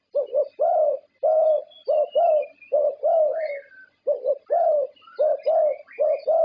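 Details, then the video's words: A contest-winning zebra dove from Thailand coos continuously in a bouncing rhythm of short double notes and longer mellow notes, with a brief pause midway. Faint high twitters and whistles from other birds sound behind it. "Perkutut juara Thailand"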